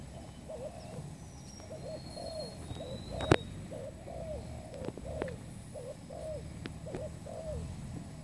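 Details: Spotted dove call used as a trapping lure: soft, low, arched cooing notes repeated steadily in short phrases, with a sharp click partway through and faint high whistles of other birds over a low background hum.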